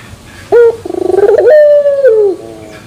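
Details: A single terasan bermetal phrase from a puter pelung turtle dove: a loud opening note, a fast pulsing stutter, then a drawn-out metallic coo that slides downward and fades.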